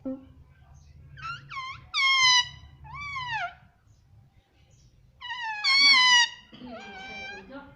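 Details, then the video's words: Talking parrot kept as a pet and taught "mummy", giving loud, curved, voice-like syllables in two groups a few seconds apart over a soft low hum in a room. "मम्मी बोलने वाला तोता _ Mummy Bolne Vala Tota _ Talking Parrot _ मम्मी मिट्ठू"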